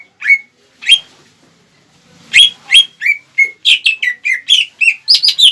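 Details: Greater green leafbird in a lure song to stir up rivals: two isolated sharp whistles, a short gap, then a rapid run of about thirteen varied ringing notes that climb higher and grow more complex toward the end.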